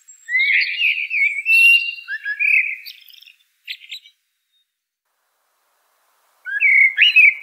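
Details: Turdus merula song: a bright warbled phrase with thin high twitters and a few clicks, a long silence, then the start of the next fluted phrase.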